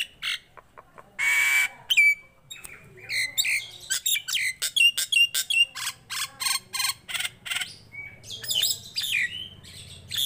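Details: Tame Nias hill myna singing freely: a sustained clear whistle, then a quick run of sharp clicks, harsh rasping notes and short upslurred whistles, with a faint steady low hum behind.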